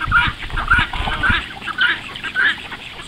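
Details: Call ducks heading out for their morning swim, giving loud harsh quacks in a steady series, about five calls spaced roughly half a second apart, with a person laughing just before.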